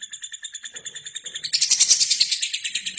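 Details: Lovebird, in a training recording for other birds, gives evenly spaced high ringing pulses, then breaks after a second and a half into a louder, harsher, rapid chatter.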